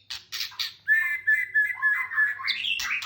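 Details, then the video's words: White-rumped shama lure song for prompting captive birds to sing: three short bursts, then a warbled, wavering phrase climbing to a sharper ending. A low hum runs underneath. "Suara Burung Murai Gacor Pancingan"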